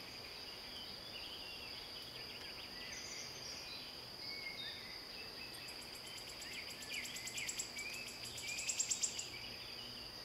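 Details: Wood warbler song heard at moderate distance: after scattered softer chirps, a run of high, quickening notes grows into a brief, louder shivering trill near the end. A constant high hum runs throughout.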